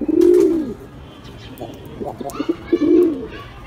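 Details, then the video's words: Pigeon cooing: a loud low coo rising and falling at the start, quieter clipped notes in between, then a second full coo near the end. "Gerçek Güvercin Sesleri"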